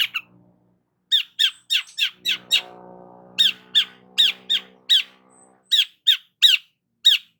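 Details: Long-tailed shrike delivering a string of sharp, rising chirps about every third of a second, repeated in bursts, with a low droning hum underneath for part of the song.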